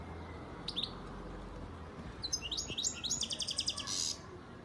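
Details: Young captive European goldfinch, a 2019 bird from Antalya, Turkey, singing: a brief chirp, then a fast run of high twittering notes and buzzy trills repeated rapidly, with faint low room hum.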